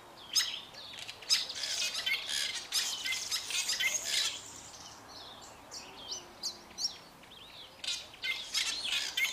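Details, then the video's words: Two Fork-tailed Drongos sing together in a dense, fast mix of sharp chirps, squeaky notes and harsh bursts, tumbling over one another almost continuously, with brief gaps and faint outdoor background. "Fork-tailed Drongos singing"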